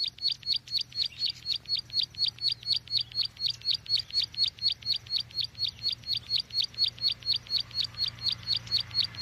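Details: Bar-winged prinia used to lure birds for trapping, giving an even, metronomic series of thin high chips, about two per second, throughout, over a low steady hum.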